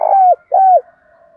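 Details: Spotted dove used as a decoy to call in wild doves: two loud, hollow coos, each sliding slightly downward at the end, with a soft lingering hum after.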